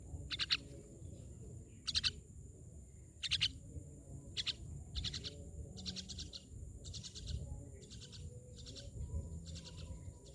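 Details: Myna giving loud, harsh, raspy broadband calls in short clustered bursts, repeated roughly every one to one and a half seconds over a low background rumble.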